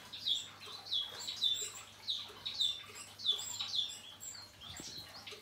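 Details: Male painted bunting, moult finished, giving short high chirps about once a second, each a quick bright note, fairly evenly spaced, over a low steady hum.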